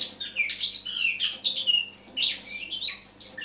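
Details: Eurasian blackcap in autumn song on the morning of 1 October 2017: a rapid, varied warble of clear whistles and scratchy chirps, rising and falling without pause, over a faint low hum.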